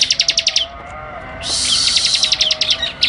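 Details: Bar-winged prinia (ciblek) on a training recording of vigorous song: a quick run of sharp, evenly spaced high chips, then a steady loud hiss with further rapid notes running through it.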